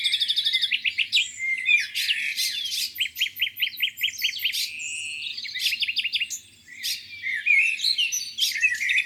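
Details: Birds singing by a lake on a spring morning: quick trills, a run of evenly repeated sharp chip notes, and a busy mix of high twitters from overlapping singers, with a faint low hum beneath.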